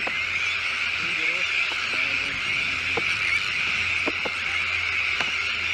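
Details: At a Sandwich tern colony with chicks on a new shell island at De Putten, Netherlands, countless birds keep up a high, scratchy clamour, broken by several sharp ticks and a few low wavering sounds.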